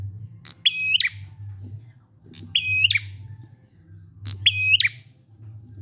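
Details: Prinia song in the 'ngalun' style, used to get silent prinias singing: three phrases about two seconds apart, each a sharp click then a sustained, steady whistled note ending in a quick flourish, over a low constant hum.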